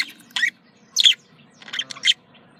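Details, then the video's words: Budgerigar contact calls: a few short, sharp chirps in three quick bursts separated by brief pauses, with a faint low hum underneath. "Voz decomunicación.de loro australiano /sonido de llamada de periquito / se sentirá feliz"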